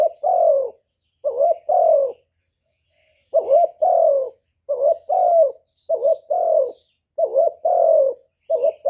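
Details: Spotted dove decoy for attracting wild doves: a steady string of mellow two-note coos, the second note longer and sliding down, after one early pause, in a quiet setting.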